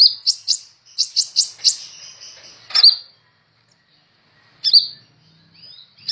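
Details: Kolibri ninja sunbird in vigorous song, recorded as a tutor track for other songbirds; a run of sharp, high chips leads into a thin sustained whistle, then isolated bright chip notes after a pause.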